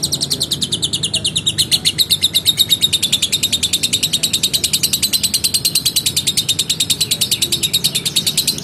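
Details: Lovebird in gacor form singing a long ngekek: a rapid, steady chatter of high, harsh notes repeated many times a second with no pause, slightly rising then level, with faint low room hum beneath.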